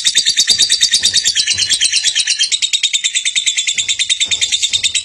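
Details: Champion lovebird chirping in a quick, shrill, unbroken series, with occasional soft low thuds in the background.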